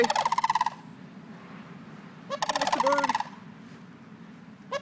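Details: Sandhill cranes in longleaf at Trinity, Florida, in early September give two loud, rolling, trilled rattles about two seconds apart, with a lower second voice joining in, over a steady low rumble.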